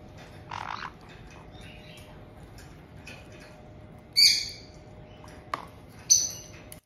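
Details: A resident pair of pet white-bellied caiques in Tokachi, Hokkaido, Japan, welcomes a newly arrived young caique of about two months, 18 June 2023. Faint chirps come first, then two piercing high squawks about two seconds apart, with a sharp click between them.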